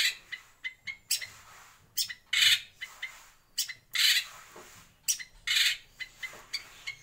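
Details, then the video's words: Caged white-rumped shama in a breeding aviary giving harsh, scratchy bursts mixed with short whistled notes, irregular in rhythm and about seven seconds long. "Kicau Murai Batu"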